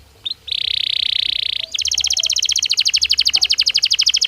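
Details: Song of a Belgian canary, sung naturally: a short rising note, then a dense buzzy trill lasting over a second, followed by a fast, regular rattle of sharp repeated notes.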